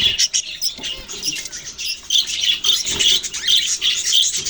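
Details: Kept budgerigars recorded November 6, 2023, producing dense scratchy chatter and squeaky chirps, rising in intensity toward the end with several bright, piercing notes.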